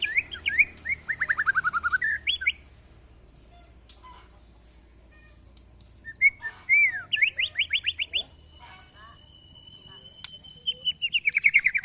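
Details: Caged white-rumped shama being tested against neighbours' birds, singing rich, varied phrases of descending whistled trills, rapid chattering notes and a long, steady high whistle, in bursts separated by pauses.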